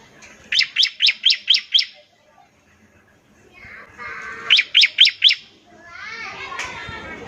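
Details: Bar-winged prinia trilling ngebren song, used to prompt other prinias to sing. It gives two short bursts of five and four sharp high notes, with softer chattering and a rustle between and after them.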